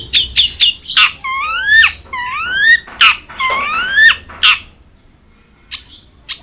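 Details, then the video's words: Long-tailed shrike (cendet) used as a masteran for a cendet that rarely sings. A few quick high notes lead into slurred, rising whistles that sweep upward several times. The song then pauses before two last faint notes. "BURUNG CENDET GACOR| Masteran Wajib Untuk Burung Cendet Malas bunyi"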